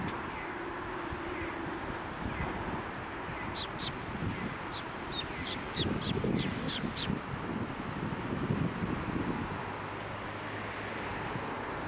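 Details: Sparrows flying to a red plum tree at a Tenmangu shrine on 27 January 2024; a rapid series of short, sharp, high chirps bunches up in the middle, over a steady low outdoor rumble.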